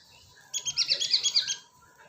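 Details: A cinereous tit gives a fast, buzzy, high-pitched trill of about ten closely spaced notes lasting one second, used to attract birds.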